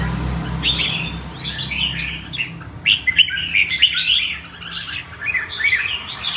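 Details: Red-whiskered bulbul, a kept songbird, singing a lively varied song: bubbly warbled and whistled phrases with short sharp notes, dense in the second half, over a steady low hum and indoor background noise.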